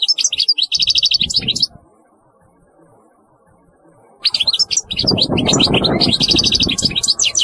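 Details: European goldfinch pouring out fast, tinkling twittered phrases with trilled runs; a pause of about two and a half seconds, then a longer, fuller burst accompanied by loud low rumbling noise.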